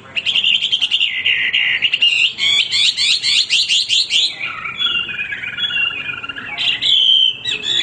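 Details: Male hwamei, a caged songbird kept for song training, delivering a loud, rich song of rapid repeated whistled notes and buzzy trills, with a long varied run of shifting phrases.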